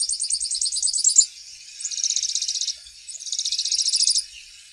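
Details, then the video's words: Grassland yellow finch (Sicalis luteola) singing three high trilled phrases of rapid repeated buzzy notes, each lasting about a second, separated by short pauses. "Misto Canto - Misto Llamado - Sonido! Cantando! - Grassland Yellow Finch Bird Song - Sicalis Luteola"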